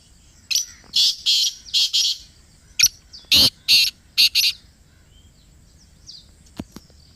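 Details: Black francolin (Kala Teetar) in Pakistan, recorded close up, calling a harsh, grating phrase: a loud buzzy note, then short rasping bursts and a pair of clipped notes, followed by quiet with faint distant chirps.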